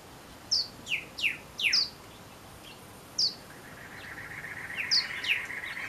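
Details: Male Pyrrhuloxia calling his mate in the Tucson desert: a run of sharp, downward-slurred metallic chips, about five close together, then a lone chip and two more near the end, over a faint steady hiss.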